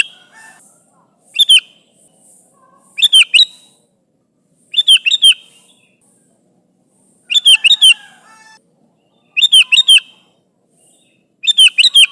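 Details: Sooty-headed bulbul calling to its companions, an energetic bird giving short bubbling phrases of two to four quick liquid notes, repeated roughly every two seconds over a quiet, clean background.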